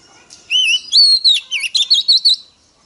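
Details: Clear whistled phrase from a female Oriental magpie-robin, used to stimulate males: a rippling opening note, a sustained high whistle bending downward, then a crisp run of five or six rising-and-falling chirps.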